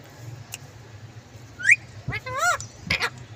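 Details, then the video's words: Green parrot making short, bent squeaks and warbling, wavering calls clustered over about a second and a half, with a faint steady hum underneath. "Amazing parrot talking video"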